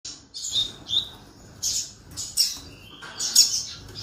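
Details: Canary singing in short bright bursts of high, buzzy chirps and trills, separated by brief pauses, with a faint low background rumble.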